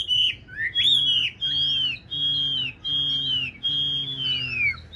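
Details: Tame caged Chinese hwamei singing at night inside a dark house: a long, pure whistled note held for nearly a second, sliding slightly downward, repeated five times with short gaps.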